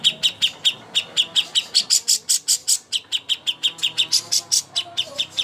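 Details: Cucak hijau master song used to prepare birds for contests: rapid series of sharp, high chirps with bright clicking overtones, about five per second, steady throughout with slight pauses.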